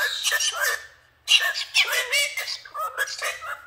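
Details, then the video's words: Pet male Galah cockatoo ranting angrily indoors, said to complain he is pissed off: raspy, squawky speech-like phrases in two bursts separated by a short pause, harsh and breathy with no clear words. "COCKATOO RANTS FOR 3 MINUTES STRAIGHT, SAYS HE'S PISSED OFF"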